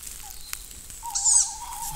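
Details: Tawny owl in an old forest where fledged young are fed by their parents gives a drawn-out, slightly wavering mid-pitched hoot lasting about a second, with a brief high squeak near its start; quiet woodland.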